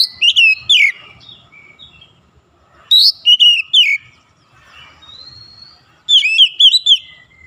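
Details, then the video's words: Oriental magpie-robin singing in morning sunlight, three bright bursts of whistled, looping notes separated by pauses, with thin drawn-out whistles and soft twitters between phrases. "SINAR MATAHARI PAGI SANGAT AMPUH MEMBUAT KACER LEBIH GACOR"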